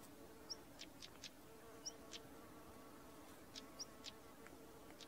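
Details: A pair of stonechats: repeated short, high whistled notes alternating with crisp tsak clicks, often in pairs, over a soft steady droning background.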